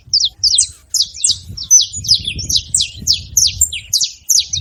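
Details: Wild saffron finches, free in a hedge, noisily calling: a rhythmic series of high, slurred downward chirps, roughly three per second, evenly spaced, over soft low rumble.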